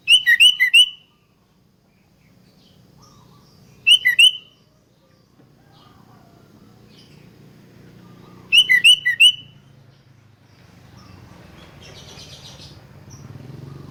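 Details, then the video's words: Sooty-headed bulbul song used as a lure to make other bulbuls sing: three short bright bubbly phrases of a few quick notes, spaced several seconds apart, with low background hum and a faint buzzy sound near the end. "100% RANGSANGAN SUARA ASLI KUTILANG || DIJAMIN BIKIN KUTILANG LAIN IKUT BUNYI GACOR ROPEL"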